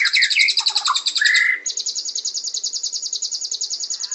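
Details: White-rumped shama giving quick high chatter mixed with short low whistles, then a steady, rapid run of identical high notes repeated about eight times a second until the end.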